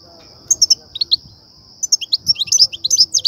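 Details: European goldfinch in 'btbta' and 'ststa' song used to excite goldfinches and attract them to trappers' nets; short twittering phrases, a pause, then a lively run of tinkling chips, backed by a steady thin high tone.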